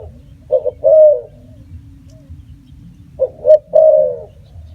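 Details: Two cooing phrases from a spotted dove about three seconds apart, each two clipped notes followed by a long, slightly falling coo, with a steady low hum.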